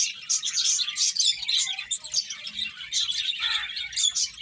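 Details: Finches chattering as they eat, a busy flock of bright, high chirps overlapping steadily throughout, some notes sharper and squeakier, with a soft low background hum.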